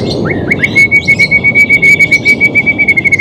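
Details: White-rumped shama singing, played to coax a reluctant bird into song: a long sustained whistled tone with a rapid pulsing trill of short notes running through it, about four per second, over low background hiss.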